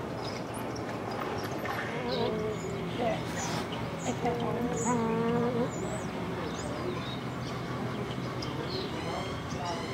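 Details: Nēnē, the Hawaiian Goose, giving drawn-out, even-pitched nasal honks around the middle of the recording, with a shorter honk earlier, over steady low background rumble and faint chirps.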